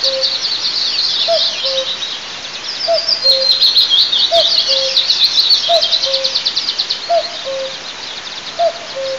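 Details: Common cuckoo calling on 9 May 2024 beside an eagle nest camera in southeast Tatarstan's oil-producing districts: six low two-note cu-coo calls, the second note lower, about every 1.4 seconds, over a dense high twittering chorus of other birds.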